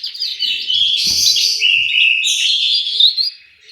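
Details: Loud, dense song from an orange-headed thrush kept in an aviary in Malang, East Java, pouring out continuous slurred whistles and rapid twittering, with a brief knock partway through before it fades.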